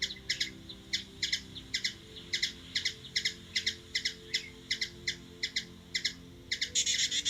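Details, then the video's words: Hummingbird from Washington DC, USA, chipping steadily in short paired notes about twice a second, ending in a brief harsh chattering flurry. "Hummingbird | Bird noise"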